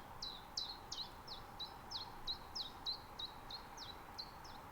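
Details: Common chiffchaff in a natural reserve in Estonia during mid-spring, taken with a Zoom F6 and Sennheiser MKH 8040. A steady run of about thirteen high, falling notes, some slurred, comes roughly three a second over faint hiss.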